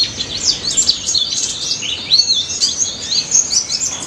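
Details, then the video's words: Loud, lively white-eye song used as a lure for silent birds: fast, high-pitched jumbled warbling of rising and falling chirps, tumbling on without a break, with little other sound. "BURUNG PLECI DAPUT GACOR NGALAS NEMBAK"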